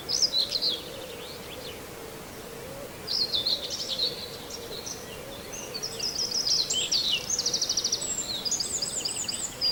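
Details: Common whitethroat near Wells-next-the-Sea giving brief, scratchy, hurried high warbling phrases every few seconds, with other birds chirping and a faint steady hum behind.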